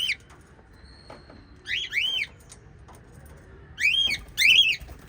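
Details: Small white lovebirds, part of a group of five kept as pets, give sharp, rising-then-falling chirps in paired bursts, one at the start, two near the middle and two more near the end, over quiet room background.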